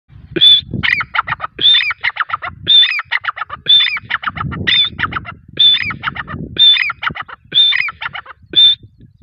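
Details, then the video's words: Partridge calling, a loud phrase repeated about once a second, nine times: a sharp high clear note followed by a quick rattling series of harsh clicking notes, with faint low rumbling background noise. "Teetar sound|Teetar ki awaz"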